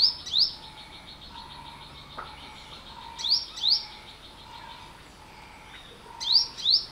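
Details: High, thin, rising call notes from an olive-backed sunbird, delivered in three quick pairs spread across the recording, above a soft, steady background of lower tones and faint chirring.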